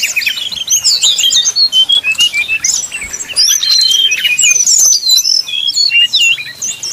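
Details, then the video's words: Brown-chested jungle flycatcher singing 'nyuling' style, a lure meant to rouse rivals: quick clipped whistled notes and hooked slurs, high and jumpy, delivered in short bursts with tiny gaps between them. "srdc nyuling bikin lawan jadi panas penuh emosi pancingan srdc tercepat bikin srdc cepat ngeplong"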